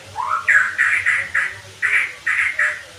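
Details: White-rumped shama sound used as therapy to make kept birds sing readily and deliver rapid 'nembak' bursts: a short rising note, then about seven harsh, buzzy notes at a similar pitch in a quick, uneven series over a faint low hum.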